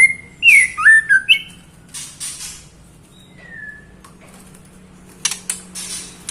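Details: A female white-rumped shama calling the male opens with loud, swooping whistled notes, adds a single falling whistle midway, and ends among scratchy clicks and rustles.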